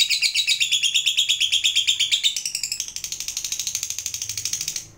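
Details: Lovebird fighter kept by bird hobbyists, giving its long ngekek trill meant to spur other lovebirds to sing: a fast, shrill, buzzy chatter of rapidly repeated notes, higher at first, then a steadier, slightly lower rattle.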